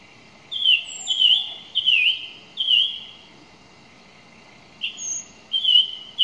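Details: Song thrush delivering slurred, falling whistles, each phrase repeated several times, with a silent gap before a second set of similar notes.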